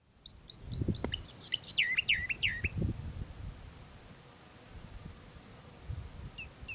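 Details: Eastern Orphean warbler singing near the Sea of Marmara shore at Karacabey Longoz Forest, Bursa Province, Turkey: a brisk two-second phrase of repeated downslurred whistled notes, a faint call later, over low rumbling wind.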